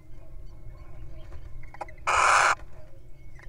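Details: Little owl in the wild, incubating eggs and eating a mouse, utters one strong, wheezy rasping hiss near the end, preceded by faint scratchy ticks and low hum.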